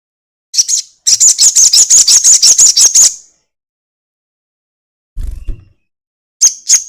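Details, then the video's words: Crested jay chatter serving as a lure to prompt birdsong: a short high burst, then a two-second rapid rattle of shrill repeated notes, a dull low knock, and another brief rattle. "pancingan sogon ekek panjang"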